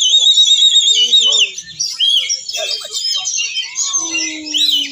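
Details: Oriental magpie-robin, an S-class winner at a bird contest in Banten, pours out a rich, nonstop run of high whistles, trills and chattering notes, with other birds, music and crowd noise behind.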